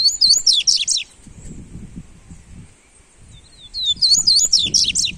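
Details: Coleiro, a double-collared seedeater, singing for warming up: loud, fast, high-pitched twittering phrases of looping, slurred chirps. One phrase is followed by a short pause with a few thin descending notes, then another rapid burst, over soft low background noise.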